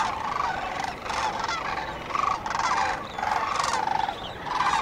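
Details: Sandhill cranes calling at dawn on the Cosumnes River: repeated loud, purring, rolling bugles from nearby birds, each lasting under a second, set against a continuous wash of flock voices.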